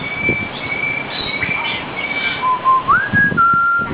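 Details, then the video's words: A talking common hill myna, a pet bird also known for whistling and mimicry, gives a long level whistle, then a clear whistled phrase that steps upward and settles on a held note, over a soft, busy background. ""Das ist ja gemütlich" sprechender Vogel (sprechender Beo )"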